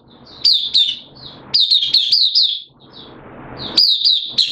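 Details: Caged oriental white-eye singing on 8 September 2022, its form a little down. Clear, high chirping phrases come in three energetic bursts separated by brief, softer pauses.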